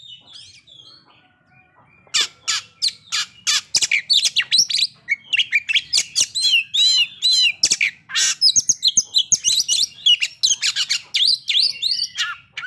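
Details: Oriental magpie-robin song used as a lure to trigger breeding condition and aggression. Near-silence for two seconds, then a loud, rapid burst of clicks, buzzy notes and looping whistles that continues to the end.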